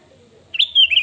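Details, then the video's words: A single lively whistled phrase from a sooty-headed bulbul, played to lure and provoke rivals. It opens with a quick rising note and ends in a few liquid, slurred downward whistles against a quiet background. "SUARA BURUNG KUTILANG GACOR 2022//SUARA PANCINGAN BIKIN EMOSI LAWAN"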